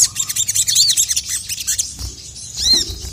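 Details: Sogon (ruby-cheeked sunbird) in a female call and an angry male reply: a quick volley of piercing high chirps for two seconds, a brief pause, then one clear arched whistle, with low background rumble.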